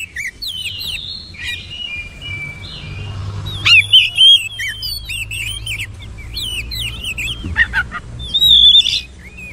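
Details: Oriental magpie-robin song, a rich varied stream of high twisting whistles and quick slurred notes, faint at first, then louder bursts of looping phrases, with a low background hum throughout.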